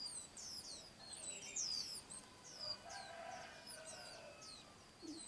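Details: Chicks of a white-eye pair being fed by their parents. Dense, sharp, high chirps fall quickly in pitch and repeat in rapid clusters, over a faint steady insect hum.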